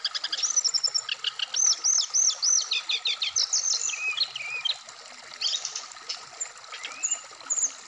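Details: Caged Black-throated laughingthrush from Indonesia repeating arched, looping whistled notes at a quick pace, followed by twisting slurs and scattered high chips.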